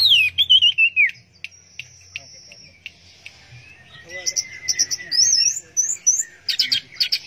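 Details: Orange-headed thrush, teler-style song, opening with wavering whistles and sharp clicks, then a long thin steady tone, followed by quick high chirps and rapid trills.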